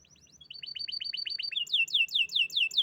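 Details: Top-ranked canary song: soft notes build into a run of quick repeated chirps, then loud, ringing downward-slurred whistles repeated about five times a second.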